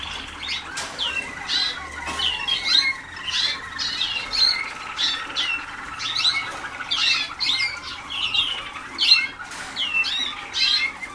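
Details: Waterslager canaries, young learners a few days into their 2010 song school: a dense, restless stream of squeaky chirps and buzzy notes in short bursts, pulsing roughly every second throughout.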